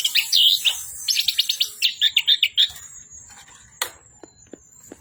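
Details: An Orange-headed thrush pours out a fast series of repeated chirps that fades into sparse, faint clicks and a single sharp high note near the end.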